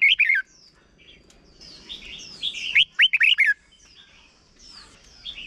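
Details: Red-whiskered bulbul song for teaching young birds: an opening burst of whistles, soft high chatter, then a loud phrase of five fast swooping whistled notes, followed by quieter twittering.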